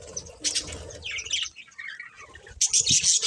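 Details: Budgerigars, a breeding pair, chirping in short twittering phrases mixed with low rustling and thumping sounds, ending in a loud, bright burst of squeaky chatter.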